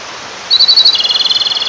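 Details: Male Japanese robin singing at a clear stream to attract a female. A few spaced, emphatic high notes lead into a quicker, slightly lower rattling trill, set against continuous water noise.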